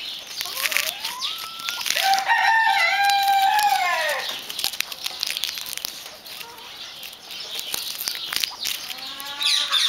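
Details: White Silkie chickens give loud, harmonic, drawn-out squawking calls that build and then fall away after about four seconds. Softer, rising calls follow, and a steady background hiss runs throughout.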